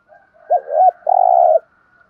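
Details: Spotted dove giving a thúc gù coo, a quick double-humped note followed by a sustained, even, burred coo lasting about half a second; a faint steady tone runs underneath.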